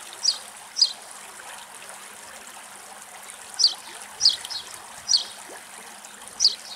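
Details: Barn swallow (Hirundo rustica rustica) in Greece giving short, sharp, high chirps, about seven in under seven seconds at an uneven pace, over a steady background hiss like trickling water.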